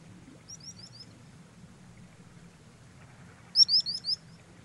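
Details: Common sandpiper (Actitis hypoleucos), UK field recording, giving high, thin piping notes in two quick runs of four or five, a faint run first and then a louder one, over a soft low rumble.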